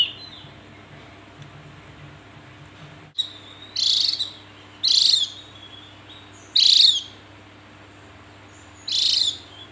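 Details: Javan grey-throated white-eye calling: after three seconds of quiet hum, four harsh, buzzy high notes, each about half a second long, spaced roughly one to two seconds apart, over a faint steady low hum.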